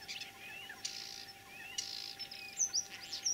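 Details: Spring song of a common starling, Kalyazin district, Tver region, Russia, 9 April 2023. Buzzy rasping notes and thin sliding whistles are followed by a quick cluster of sharp high chirps.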